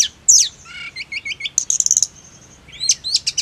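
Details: Snowy-browed flycatcher singing, used as therapy for birds: a sharp downslurred note, several short buzzy notes in a row, a rapid high stuttering trill, a brief pause, then a final burst of high chips.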